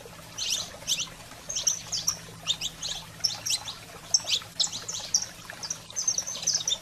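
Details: Saffron finch singing to fire up canaries: spaced clusters of bright, high chirping notes and short trills, uneven pauses between phrases, over a faint low hum.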